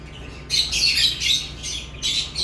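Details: After a quiet half second, lovebirds break into harsh, squeaky chirping, a continuous shrill bout followed by two shorter bursts.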